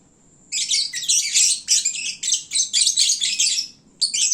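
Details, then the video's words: Sleepy, well-fed lovebirds chattering at midday: a continuous run of piercing, scratchy, high-pitched twitters in rapid pulses after a brief quiet opening. "Kicauan Lovebird saat mengantuk. Duuh berisiknya !!!"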